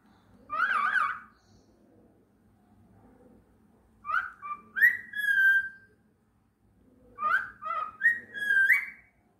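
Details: A 1.5-year-old male pet cockatiel whistles a short tune of rising and falling notes in three separate phrases.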